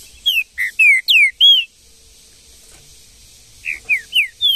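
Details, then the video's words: Wild green-winged saltator in the bush: a rapid phrase of five loud whistled notes, mixing downslurs and an upturned note, then silence, then four more similar whistles. "MUITA FIBRA trinca ferro no mato"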